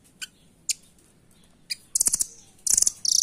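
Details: Velvet-fronted nuthatch (rambatan) song, recommended as a master recording for training caged birds: a few isolated sharp high notes, then fast, very high, tightly repeated trill bursts at a rapid pace near the end.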